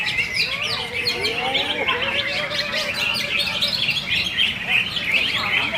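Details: Cucak ijo, the greater green leafbird, pours out high, fast, chattering notes and sharp chirps, with lower whistled slurs and wavering phrases running underneath throughout.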